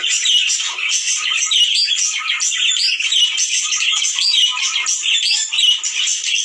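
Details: Budgerigar chatter meant to stimulate breeding in males and females: lively chirps, squeaky whistles and scratchy warbles pulsing in irregular bursts, roughly one every second or so.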